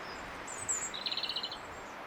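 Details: Robin singing around garden feeders: a thin high whistle followed by a fast, rattling trill of evenly spaced notes lasting about half a second, over steady background hiss.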